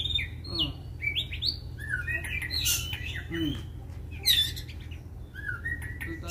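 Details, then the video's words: Fighting white-rumped shama, provoked into excited song: sharp high upslurred whistles, twittering runs and a loud burst of metallic notes over steady low background hum. "MURAI BATU TARUNG || PANCINGAN MURAI BATU EMOSI IKUT GACOR DAN FIGHTER"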